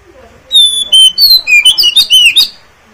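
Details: Oriental magpie-robin, called kacer, singing to coax other kacer to reply and fan their tails: a long clear whistle, then fast descending slurs and a rush of sharp, varied chirps packed into about two seconds.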